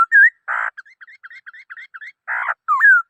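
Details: Black-throated laughingthrush mixing short, bright whistled notes and a rising, twisting whistle with two broad, harsh, rasping bursts, in a busy, varied phrase.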